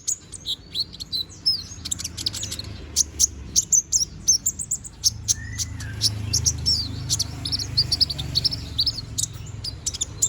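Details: Konin bird, young and regrowing feathers, giving lively training song: fast high chirps and twittering trills in steady sequences, one lower slurred note midway, over a faint low rumble.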